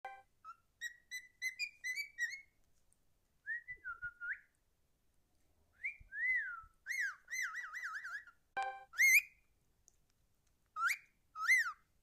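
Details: A young cockatiel (Nymphicus hollandicus) gives clear, rising whistles and warbling trills in short bursts.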